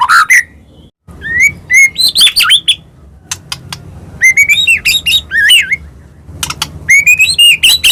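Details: White-rumped shama, Medan type, singing a varied song full of fills, used as a lure for other shamas. High sharp upslurs, twisting whistled phrases and thin clicks, arriving in bursts broken by brief silences.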